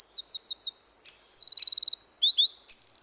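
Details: A Eurasian wren perched right in front of the camera, showing no fear, sings a loud, rapid, high-pitched song: looping whistled notes, then a fast buzzy trill, then sharp rising phrases ending in another trill.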